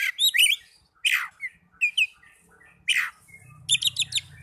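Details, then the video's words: Young Oriental magpie-robin caged indoors giving a few harsh, raspy downslurred notes and short whistles, ending in a quick chattering series, over a low steady hum. "Terapi Burung Kacer Muda"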